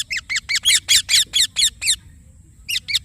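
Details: Indian ringneck parakeet calling with about nine loud, rough chirps that swell in strength midway, followed by a pause and two final notes.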